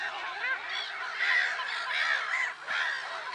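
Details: Many black-headed gulls calling together at Lake Sarymsak in Kazakhstan's Pavlodar region, 10 April 2011. Raucous, nasal cries overlap in a thick wall of sound, swelling briefly louder near the middle.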